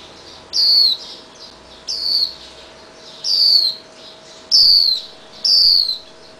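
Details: Fledgling Swinhoe's white-eye just released from a protective cage and still fed berries by its parents in a garage; five loud, high, falling calls come at about one-second intervals against a quiet background with a faint steady hum.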